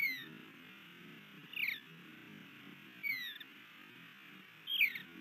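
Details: Osprey on a nest in Missoula, Montana, 3 May 2020, while a newly arrived male tries to mate with the female. Three drawn-out, descending whistled calls about 1.5 seconds apart, over a low steady hum.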